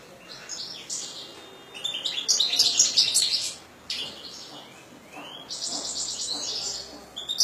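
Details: A kept European goldfinch sings rapid, rattling twitters at about three notes per second. Loud bursts of dense, buzzy trills are split by a short pause, and a thin upslurred whistle comes near the end.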